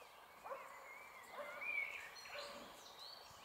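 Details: A female Eurasian golden oriole (Oriolus oriolus) at Rakovnik, Ljubljana, Slovenia, on 14 May 2023: quiet harsh nasal screeches, three rasping notes a second apart with one thin whistled note between, faint outdoor background.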